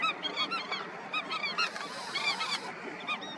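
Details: Indian skimmers in a colony give rapid, overlapping nasal yaps and barking notes, many birds at once, forming a steady chattering din with frequent quick bursts.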